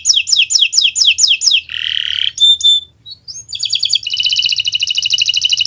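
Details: Kenari Nusantara canary singing a tutor song meant to prompt other birds to learn: fast repeated sliding notes, a harsh buzzy burst, a brief pause, then a long rapid rattling trill.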